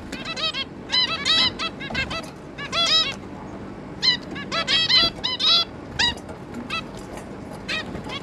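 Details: Two adult zebra finches and their three young, recorded 11 May 2022, giving clusters of brief nasal honking beeps, some with a bent upward or downward inflection, in irregular overlapping bursts.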